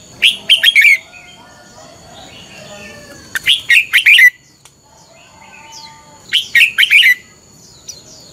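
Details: Red-whiskered bulbul morning training and fighting song, three phrases of quick warbled whistles roughly three seconds apart, with soft twittering in the gaps.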